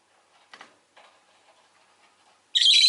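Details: Quiet low murmuring and shuffling give way to one sudden, loud, harsh chirp from a pet rosy-faced lovebird at the very end, in a home with an orange-coloured bird and city traffic nearby.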